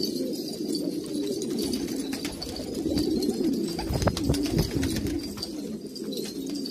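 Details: Traditional Kabul pigeons in Afghanistan coo in a low, throbbing murmur, several birds overlapping, with a louder thump or wing sound around four seconds.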